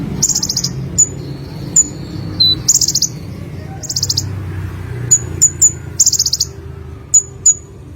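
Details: Olive-backed sunbird (konin) from Indonesia giving lively song: bursts of rapid, very high pulsed trills mixed with short piercing tsip notes, repeated irregularly every second or so over a faint low hum.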